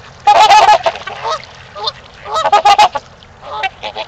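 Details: Trumpeter swans at Gallup Park, Ann Arbor, Michigan, during mating time: two loud bursts of nasal, horn-like honks in rapid overlapping series, with several birds calling together, then softer scattered honks between and after.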